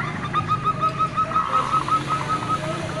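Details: Female local zebra dove calling as a lure to draw emotional, mating-driven calls from males; a steady run of short, soft, even coo notes repeated about six times a second over a low rumbling background.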